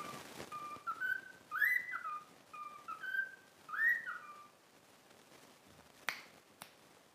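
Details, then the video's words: Pet cockatiel practising a learned whistled tune, 'If You're Happy and You Know It'. Soft, fairly distant phrases of short notes include two louder upswept arcs, followed by quiet room noise and two sharp clicks near the end. "COCKATIEL SINGING IF YOU ARE HAPPY AND YOU KNOW IT WHISTLE"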